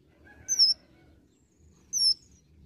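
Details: An olive-backed sunbird (konin) in energetic varied song: two bright, very high whistles sliding downward, separated by about a second and a half of near-quiet, with a softer lower whistle trailing the first.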